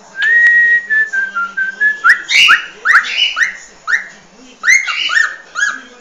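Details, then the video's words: Cockatiel singing the original song of its species: a long steady whistle gently falling in pitch, then a rapid series of short rising whistled notes repeated in two bursts, with a faint low hum behind. "Calopsita canto da especie ORIGINAL"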